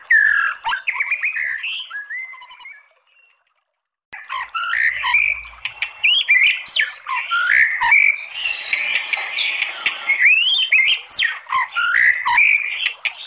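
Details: White-rumped shama song meant to provoke singing: varied whistled, chattering and scratchy phrases, a near-silent pause of about a second, then dense, rich warbling with rising and falling whistles and sharp clicks.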